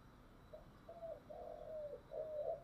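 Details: Low spotted dove coos from a decoy bird with a thick 'giọng thổ' voice, used to lure wild doves: four soft, slightly rising notes over steady background hiss.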